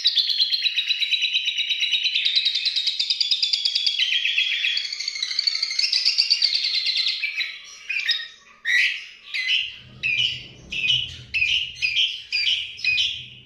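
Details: Asian pied starling delivering lovebird 'ngekek' mimicry in its song: about seven seconds of dense, fast, high chattering trill, then short sharp notes repeated roughly twice a second, with a low hum joining near the end.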